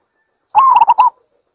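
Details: A single zebra dove phrase: a brief rolling coo that opens with a slightly rising note, then breaks into four quick, evenly spaced pulses, heard cleanly with no other sounds.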